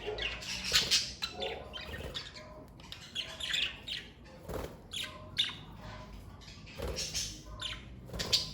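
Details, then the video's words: Pet budgerigars in a parakeet family keep up a lively, irregular stream of scratchy chirps, squeaks and short squawks, with a few louder, sharper peaks throughout. "Birds Chirping Sound Effect!"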